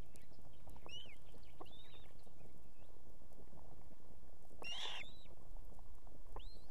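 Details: An osprey female on an Estonian nest with two chicks, calling the male to bring food at evening: repeated short upslurred whistles spaced a second or so apart, with one louder cry near five seconds, over low steady noise.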